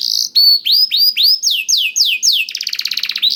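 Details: A blackthroat-tutored canary sings, used to encourage caged canaries to sing. It gives a short buzz, then spaced rising-falling whistled notes, then a quick stuttering trill at the end.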